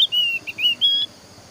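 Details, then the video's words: Javan grey-throated white-eye singing to lure other birds into song: a short string of sustained high whistled notes, slightly wavering and ending on a higher pure tone, with a soft hum beneath. "KICAUAN BURUNG OPIOR JAWA MEMANCING BURUNG YANG LAIN AGAR IKUT BERBUNYI"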